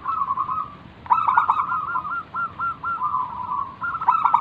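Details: Zebra dove of local wild stock singing 'manggung' to prompt others to answer: a soft trill, then a loud stuttered burst leading into a string of separate rolling cooing phrases, and another loud burst near the end.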